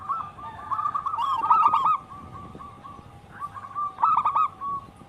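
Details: Wild local zebra dove song, used to lure birds and tutor captive doves: softer, blurred series of rapid coos with a louder stuttering burst near one and a half seconds and another near four seconds.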